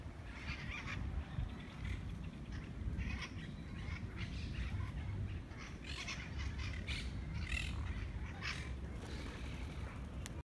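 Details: Several monk parakeets fighting over food in Parc de la Ciutadella, Barcelona, Spain, give harsh, grating squawks in repeated bursts over a steady low rumble of traffic or wind; mitred parakeets squawk from trees above.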